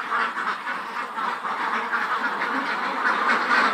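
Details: A farm flock of about 400 Khaki Campbell ducks, over 110 days old, in Muktagacha, Mymensingh, keeps up a steady, overlapping chatter of nasal quacks, several each second, with no clear pause.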